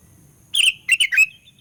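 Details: Sooty-headed bulbul song used as a trapping lure to provoke rival birds: a short bright phrase of about four whistled, slurred notes, the last note rising and trailing off, over a faint low hum.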